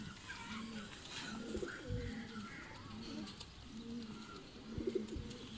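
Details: Salaray Teddy pigeons, a domestic breed kept by fanciers, giving low soft cooing phrases repeated about every second, with faint background clatter and hiss.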